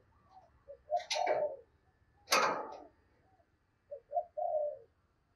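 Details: Decoy spotted dove calling to lure wild doves, heard faintly: soft low coos, each a quick double note and a drawn coo, broken by two loud rustling bursts.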